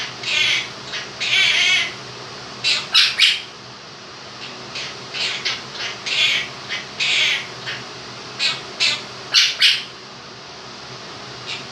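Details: Two-year-old male pet Quaker parrot singing his version of 'If You're Happy and You Know It' with do-do-do music: long irregular sequence of about twenty squawky and chirpy syllables, some in quick doubles, over a running fan.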